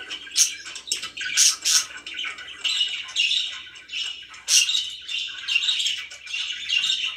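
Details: Pet budgies indoors give sharp, high squawks in bursts amid ongoing buzzy warbling chatter, loud peaks recurring every second or so early on.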